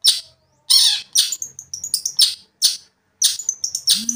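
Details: Long-tailed shrike (cendet) song used to anger another shrike: loud harsh notes alternating with quick runs of thin whistled and chattering notes.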